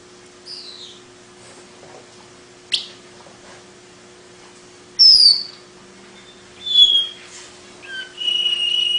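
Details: Long-tailed paradise whydah song, known for a distinctive chatter unlike other birds: scattered high whistled notes, a descending slur, a sharp rasp, then clear sustained whistles, with long quiet gaps and a faint steady hum.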